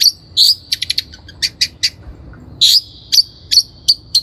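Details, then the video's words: Long-tailed shrike lure recording for training birds: harsh rasping bursts mixed with quick high chips and clicks, then a long buzzy note followed by several spaced sharp notes. "THE LONG - TAILED SHRIKE SOUND"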